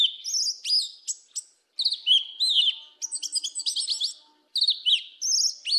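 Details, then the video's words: Sabiá-preta, the Yellow-legged Thrush, in 'canto mateiro do sul' song: continuous high-pitched jumbled phrases of clicks, quick downslurred whistles and chattering notes, with two brief silences and a faint steady hum behind. "SABIÁ PRETA CANTO MATEIRO DO SUL"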